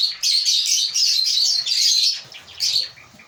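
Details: Loud, high, rapid chattering chirps from an African lovebird breeding colony for about two seconds, then a pause and a final short burst of squeaky calls.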